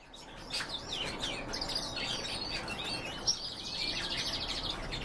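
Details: Singing canary and European goldfinch hybrid: high, quick warbled phrases of twisting chirps and slurred notes, then a fast, even buzzy trill held for over a second near the end, over steady background hiss.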